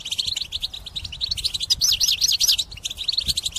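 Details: Trapping song of a European goldfinch, sung intensely: a dense high twittering stream of rapid chirps with a run of zigzagging notes in the middle, steady and unbroken.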